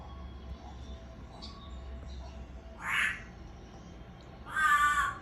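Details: Pet African grey parrot yelling for "Mom" and calling to the owner in an imitation of a human shout. One brief rising squawk-like yell, then a louder, longer harmonic yell at the end over quiet room noise.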